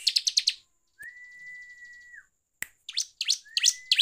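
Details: Bar-winged prinia song used to provoke other birds: a quick run of high chirps, then a long flat whistle lasting over a second, followed by sharp sweeping notes and another rising whistle.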